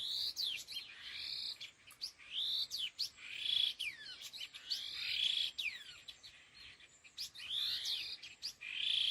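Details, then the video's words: Laughingthrush, locally khứu lùn, in a "gọi đằng" calling bout: rhythmic scratchy phrases, each opening with fast rising strokes and ending in a hoarse buzz. The phrases repeat roughly every second and a half, steady and loud. "Âm Thanh Chim Khứu Lùn Đôi Hung Gọi Đằng"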